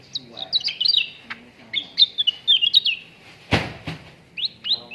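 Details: Cucak ranting bulbul training recording for contest birds, with bursts of quick rising and falling whistled notes, a sharp clatter midway, and two final upslurred whistles.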